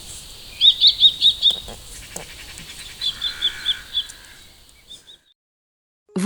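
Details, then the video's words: Common kestrel calling: two quick bursts of about five sharp, high, piercing 'kee' notes, evenly spaced, with a brief pause between bursts, then two faint notes; a soft low background rumble underneath. "Cri du FAUCON CRÉCERELLE"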